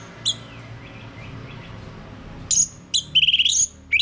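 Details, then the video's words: Orange-headed thrush lure song for getting a male to sing ngeplong-style: a single high note, then after a pause short sharp whistles and a fast rattling trill, over faint low background noise. "Mainkan Video Pancingan Ini Agar ANIS MERAH Mau Berbunyi Ngeplong Kalau jantan ya."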